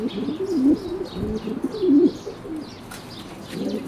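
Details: Blondinette fancy pigeons, a 2012 breeding, giving low throaty rolling coos in several bursts, one louder coo near the middle, with soft bird chatter behind.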